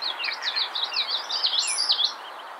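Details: Magnolia warbler (Setophaga magnolia), song.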